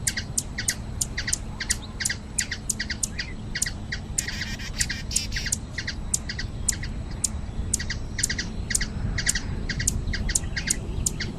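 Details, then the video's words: Hummingbird in nature in Brazil: thin, very high chipping notes in quick clusters of two or three, repeated steadily about three times a second, over a low rumbling background hum. "Ouça o canto beija flor"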